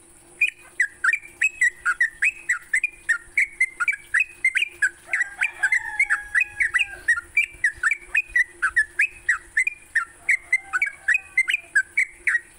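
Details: Sooty-headed bulbul singing in the morning, a recording for training songbirds: a long, steady series of short whistled notes, several per second, rising and falling; a faint lower whistle midway and a constant high hiss.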